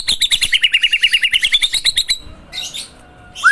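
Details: White-rumped shama (murai batu) delivering a fast, even trill of about twenty sharp repeated notes over two seconds, then a soft rasp and a final upslurred whistle.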